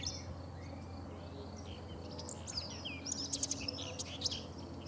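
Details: After a quiet start, a common whitethroat bursts into a quick scratchy warble of high chirps lasting about two seconds. Recorded 3 June 2017 beside the Sava in Prečko, Zagreb, Croatia; low hum behind.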